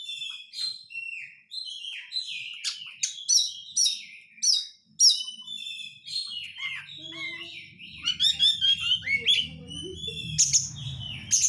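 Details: Lure song of a white-rumped shama in rapid crecetan style: a nonstop run of sharp high chirps and short whistled phrases, some mimic-like, with low humming noise building toward the end.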